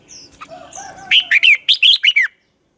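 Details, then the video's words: Dueling song of a red-whiskered bulbul kept as a lure bird for training others to sing: softer mixed chatter, then a rapid run of seven bright, downslurred whistles in just over a second. "chào mào hót đấu"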